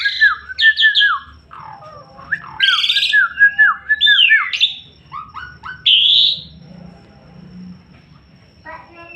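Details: Asian pied starling singing hard (gacor), mixing dipping fluty whistles, rough buzzy squawks and a high upward-sliding whistle, then fading to quieter scratchy notes.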